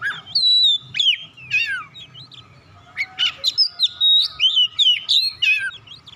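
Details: Oriental magpie-robin song used to get quiet birds singing: flowing whistles that slide down, followed by a fast series of loud, rhythmic whistled and chirped notes.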